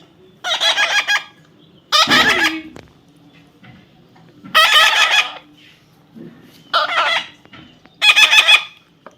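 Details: Talking parrot giving a compliment: five loud, harsh, harmonic voice-like bursts about two seconds apart, each under a second long, with a faint low hum between them.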